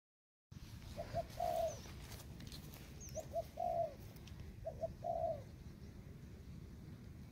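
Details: Young Thai-type spotted dove training in the forest: three cooing phrases, each two short soft notes followed by a longer mellow, slightly wavering coo, spaced about two seconds apart over low rumbling background.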